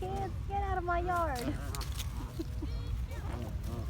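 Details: Several wild geese call back and forth with nasal, harmonic honks that slide downward, overlapping in quick bursts over a steady low rumble.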